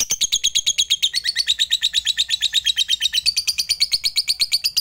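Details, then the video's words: A fighter lovebird's long ngekek: a very regular, rapid series of piercing high notes, loud and unbroken, used as a lure so that silent rival lovebirds start singing. "Pancingan LB FIGHTER MEMANGGIL LAWAN, Berkat Suaranya Banyak Lovebird TAK LAGI LESU DAN BISU"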